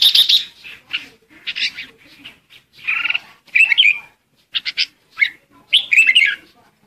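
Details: Lure red-whiskered bulbul singing to call its flock: harsh, chattering bursts and squeaky warbles in quick broken phrases, separated by short silences.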